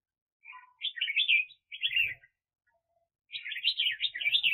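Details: Red-whiskered bulbul kept as a decoy for bird trapping, recorded in 2021: bubbly, warbling phrases of rolling notes, two short phrases, a pause, then a longer cheerful run.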